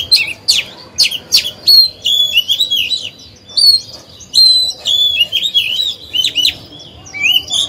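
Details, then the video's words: Oriental magpie-robin, kept as a lure bird to stimulate rivals and tutor young birds, sings a rich, varied song of clear whistles, sharp upslurred notes and buzzy trills, delivered in quick bursts with short pauses. "Chòe than hót hay, luyện mồi, kích bổi"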